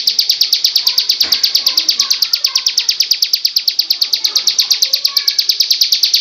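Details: Ciblek (bar-winged prinia) in the Cristal song style, a steady, rapid series of shrill, high, tick-like notes running throughout, with faint low background sounds.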